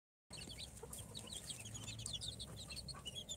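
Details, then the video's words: Newly hatched chicks of Sultan, Golden Sebright, Cochin and booted breeds, four days out of the incubator, give a busy chorus of high, short peeps, many overlapping, with a low hum underneath. "Chicks hatched from the incubator- Day 4 - Tatlı Civcivler - Cute chicks🐥- كتاكيت"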